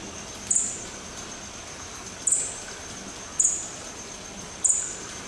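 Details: Madagascar partridge (Margaroperdix madagascarensis) at a zoo in Dvůr Králové nad Labem, Czechia, gives four very high, thin, sharp notes spaced about one to two seconds apart, over a steady background hiss.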